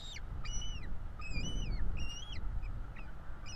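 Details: Bald eagle young begging during feeding at a nest in Florida, 5 April 2022; arched whistled notes that rise and fall, roughly three in a few seconds, with deep rumbling noise underneath.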